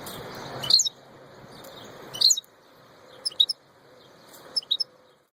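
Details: European goldfinch, the royal goldfinch, delivering short bright clusters of two or three high twittering notes spaced about a second apart, with a quiet background.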